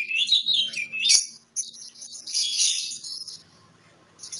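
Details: Oriental magpie-robin (kacer) performing ngobra song: continuous high, tumbling, scratchy warbles with fast twittering phrases and one short pause, fading toward the end.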